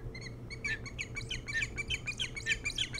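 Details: Osprey at a nest on Hog Island near Bremen, Maine, filmed by a nest camera before dawn on 07-03-2018: rapid run of sharp, high chirping whistles, several per second, rising in strength over a steady low electrical hum.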